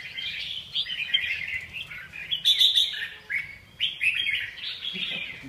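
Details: Red-whiskered bulbul giving lively chirping phrases in separate bursts, sharp high notes and short slurred whistles with small pauses between them, over a low rumbling background.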